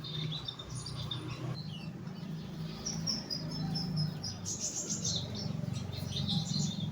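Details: Young caged bulbul kept in a lower cage for song therapy, giving quick, scattered, high-pitched chirps and short twittering notes, some in bursts, over a steady low hum.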